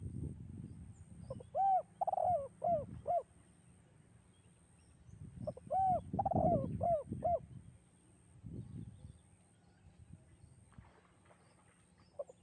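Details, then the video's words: Echoing spotted dove song in the 'kuk 2' style: two phrases, each of four or five hollow arched coos with a longer wavering note early in the phrase, separated by pauses, with a low rumble underneath. "bergema suara tekukur kuk 2 dan mengalunkan 2 irama merdu mendayu"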